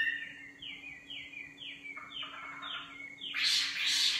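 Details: A singing nightingale repeats a clear descending whistled note about twice a second, then bursts into a harsh, loud rattling flourish; faint steady hum underneath.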